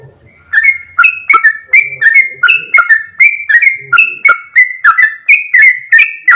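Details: Sooty-headed bulbul in full song with long rolling phrases: loud, repeated whistled notes around two to three per second, each dropping and then sliding level, bright and clear with faint low murmurs at the start.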